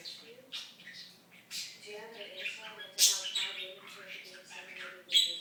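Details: Pet budgerigar mimicking speech: mumbled chattering phrases with nasal tones, punctuated by a loud scratchy burst midway and another at the end.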